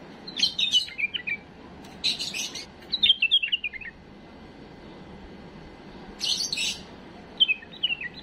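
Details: A tame bulbul sings a mistake-free song used to tutor fledglings: repeated warbled phrases of stepping, downward-sliding whistles, interspersed with buzzy chirp bursts, pausing briefly mid-sequence.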